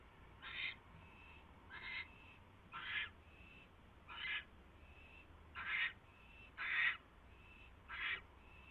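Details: Seven fainter, rasping owl screeches repeated at steady one-second gaps, alternating with weak thin tones, while a male brings his mate a third mouse on a January 2016 night; soft background hum.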